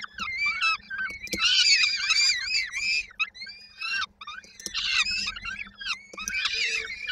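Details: Waiting for their mother to deliver supper, peregrine falcon chicks in Koszalin, Poland, on 19 May 2022 give wavering, shrill, harmonic begging cries in clustered bursts with short gaps.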